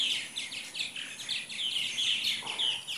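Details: About 75 purple martins gathered one morning in Katy, Texas, in 2014, a week or two before leaving for Brazil; many birds chatter at once in a dense, overlapping stream of gurgling chirps and rich warbled notes.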